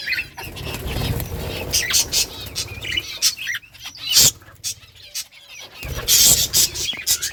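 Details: Colony of budgerigars in summer breeding season, playing and chirping: bursts of high, scratchy warbling chatter from many birds, with brief pauses and a low background rumble.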